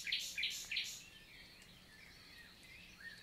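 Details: Common nightingale singing on a June morning in forest countryside of the Lot, southern France; three loud repeated chirping bursts open the phrase, then fainter warbling and other birds in the background.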